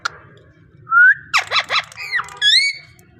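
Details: Talking parrot: a clean flat whistle, then throaty speech-like syllables, a falling note and a high bright warbled call, all within a few seconds over a quiet hum.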